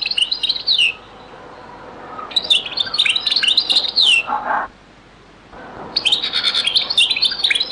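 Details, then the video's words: Very old recording of a European goldfinch singing the Beni Messous 'les avocats' (zaboka) style: quick twittering bursts with slurred, downward-bending notes and a short quiet gap midway. "#تغريد - تسجيلة جد قديمة بني مسوس ليزافوكا | chant beni Messous les avocats zaboka"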